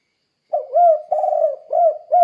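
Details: Spotted dove calling, played to draw other doves into calling: a continuous low cooing run of smooth notes alternating with a longer, slightly rough coo.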